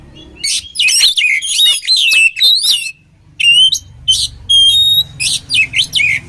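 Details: Oriental magpie-robin singing, a recording meant for training other birds: loud, varied phrases of sharp whistles, buzzy trills and rising slurred notes, broken by short pauses, each burst under a second long.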